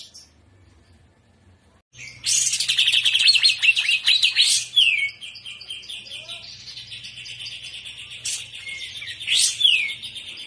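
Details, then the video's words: Greater green leafbird, a young bird in the prawn style, after two quiet seconds breaks into a loud, rapid, buzzy chattering phrase, then continues with thinner high twittering and occasional sharp upswept whistles over a faint low hum. "TROTOLAN CUCAK IJO Paud JAHAT FULL JAMTROK GACOR GAYA UDANG"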